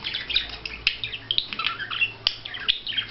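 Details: Budgerigar courtship display: a busy warble of chirps, squeaks and twittering notes running almost without break, with a couple of sharp click transients.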